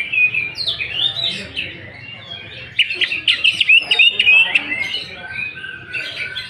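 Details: Greater green leafbird singing in a rich, varied stream of whistled and chattering phrases, with quick rapid trills and sliding notes in the middle, used as a lure to provoke singing; faint voices in the background.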